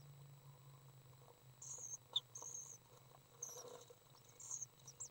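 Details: Swift chicks, three young birds at a feeding session on May 30th 2012, producing short, high, thin chittering calls in four or five bursts, with a low hum and sharp clicks.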